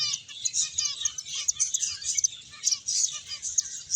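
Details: Playing, feeding finches fill the recording with quick high tweets and chatter, several crisp accented chirps standing out.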